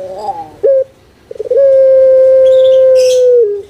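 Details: Pelung-style song of a kept puter dove from Java, Indonesia: a brief wavering coo and a clipped note, a pause, then one very long, steady, pure tone held nearly two seconds before dropping at the end.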